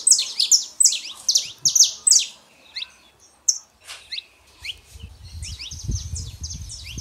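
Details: Male and female saffron finches in a rapid high chirping series, loud at first, then softer scattered notes and a renewed run, with low rumbling noise late on; meant to warm up a silent canary.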